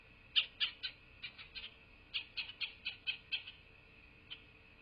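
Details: Several bursts of quick, high, chittering piping notes from a bald eagle at its southwest Florida nest on 8 November 2023 near 12:47, some notes louder and some fainter, ending with one lone squeak; faint steady hum behind.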